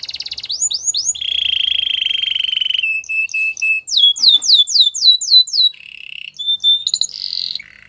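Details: Canary song with rising whistled notes, a long low buzzing trill, short flat whistles, then a run of rapid upsweeping notes and varied trills at high pitch.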